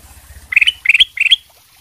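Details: Kutilang emas bulbul, sutra type, singing in full voice as a prompt for other birds to reply: three short ringing whistled bursts in quick succession, each closing on an upward sharp note, with faint low background hum.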